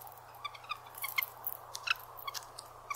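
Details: Red-breasted nuthatch contact calls: short, soft nasal meeps scattered irregularly every half second or so, with faint high chips and a low steady hum beneath; these little meeps are given constantly as the bird goes about its activities.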